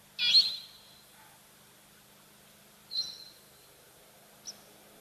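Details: A Brown-headed Parrot, picked out among repeating birds on a quiet African live wildlife cam, gives a typical harsh, high parrot screech, then a shorter squawk about three seconds later and a brief final note, over faint hum.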